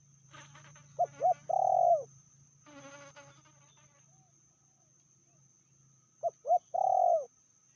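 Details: A female spotted dove, said to be fiercer than the male, gives a three-note coo phrase twice, two short notes and a long purring coo, with a burst of other chattering calls between phrases and a low hum.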